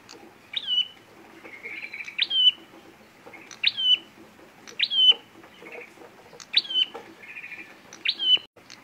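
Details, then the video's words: Prenjak merah (red-headed prinia) fighting call used as a lure for bird trapping: sharp notes sweeping up then levelling into a high flat whistle, repeated about every 1.4 seconds, with softer buzzy trills between phrases. "pancingan pikat prenjak merah tarung"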